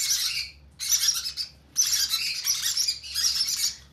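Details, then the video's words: Hand-fed conure chicks utter four bursts of rasping, hissy begging squawks, each under a second, with short pauses. "Conure chicks hand feeding"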